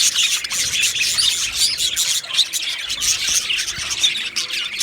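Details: Budgies in an Australian parrot colony aviary chattering together, a thick wall of high chirps, squeaks and raspy notes with brief pulses of louder calls.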